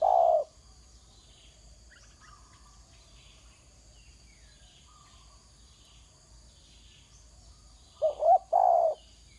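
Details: Ground-calling spotted dove: the clip opens on the tail of a long hoot. After a quiet pause, a soft paired coo and a sustained low hoot arrive near the end.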